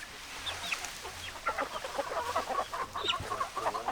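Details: Hens clucking in a flock: many short, overlapping clucks and brief rising notes, scattered irregularly through the clip over a faint low hum.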